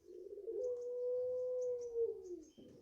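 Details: A single long drawn coo from a five-month-old garden-bred puter pelung (Barbary dove), held steady for about two seconds and then sinking, with faint high twitters of small birds in the background.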